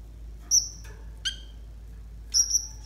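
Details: Konin calls used to train young konin: three brief notes with long gaps, a high clear whistle, a sharp downward chirp, then another ringing whistle.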